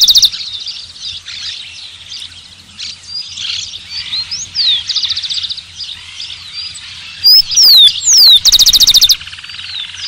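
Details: Rufous-collared sparrow: after several seconds of layered background bird chatter, a bold phrase of descending whistles closes with a fast rattling trill, then the chorus of other birds continues.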